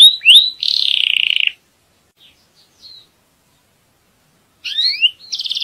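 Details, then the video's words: Belgian canary singing in a breeding setting to tutor young birds and ready the female: short rising whistles and a buzzy rapid trill, a long pause with faint notes, then rising slurs and another pulsed trill. "تغريد كناري نار لتعليم صغار وجهوزية الأنثى"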